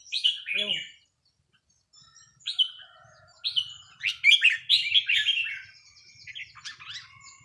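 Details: A red-whiskered bulbul practises on a free day. Isolated clear whistles give way to a fast tumbling run of bright notes, with a faint low rumble beneath.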